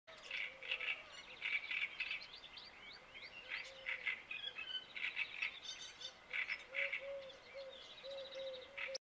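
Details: Great reed warbler singing at dawn, its song marking its territory: loud, harsh, grating phrases of croaking and chattering notes delivered in rapid repeated bursts, with a low, steady tonal note recurring quietly beneath.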